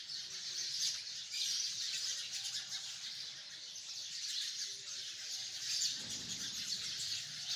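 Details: Hundreds of sparrows in a tree form a dense, continuous wall of chirps, many birds calling at once in bright overlapping cheeps with no pause.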